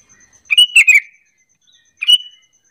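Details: Sooty-headed bulbul giving a lure call to coax other bulbuls into calling back; a rollicking three-note chattering phrase, a short gap, then a single clear whistled note, with a faint steady high hum.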